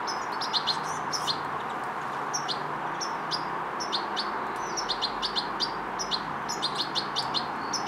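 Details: European goldfinch fledgling learning motor control and coordination, giving short, high, thin chirps in irregular clusters over a steady broad background hum.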